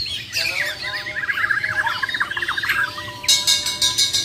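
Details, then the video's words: Contesting champion Bornean white-rumped shamas from Muara Wahau deliver a rapid stuttering run of chirps with besetan and tembakan styles, followed by bursts of harsh, clattering broadband notes. "BURUNG JUARA MURAI BATU BORNEO "MUARA WAHAU" || FULL ISAIN BESETAN DAN TEMBAKAN"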